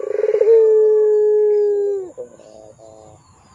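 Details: Gacor pelung Barbary dove recorded as a lure and tutor for young birds: one pulsed opening drawn into a long steady low coo that dips at its end, followed by quiet stepped notes.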